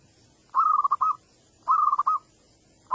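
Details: Luring call of zebra dove for attracting birds to come and respond: trilled cooing phrases, each a rolling run ending in two short notes, repeated about once a second on a quiet background.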